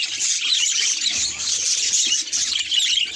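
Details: Budgerigars at a mirror give a short, loud flurry of high scratchy chirps and warbled squeaks, densely overlapping throughout.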